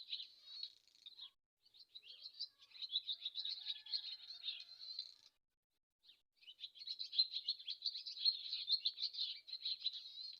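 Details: Swallow chattering in two long runs of fast, scratchy twittering with rattles and thin whistles, split by about a second of silence.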